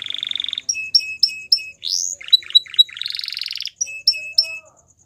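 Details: Wild Atlantic canary singing in the morning, a varied, rapid song: a buzzy trill, then runs of sharp repeated chirps about four per second, rising sweeps and a long rattling trill.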